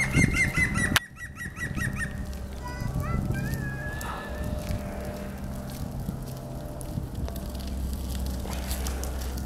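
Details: European green woodpecker by the Żerański Canal on 9 March 2021: a quick run of short, sharp, slightly falling notes in the opening second, cut by a loud click, then other bird notes over steady low background rumble.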